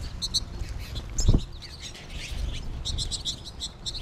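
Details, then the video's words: American goldfinch flock in late March; bursts of high, stacked chirps and twittering notes from several birds, with a brief low thump midway and soft background rumble. "American Goldfinch flock during the final flourish"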